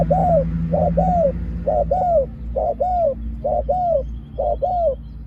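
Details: Spotted dove decoy for catching wild doves gives rhythmic pak khruen calls, a short coo then a longer falling coo, about once per second, with faint background rumble and chirps.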